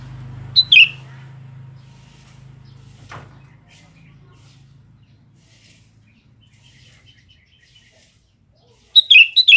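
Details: Sooty-headed bulbul calling out to females: a sharp falling two-note call at the start, a long quiet gap with a knock, then a rapid burst of several falling notes at the end.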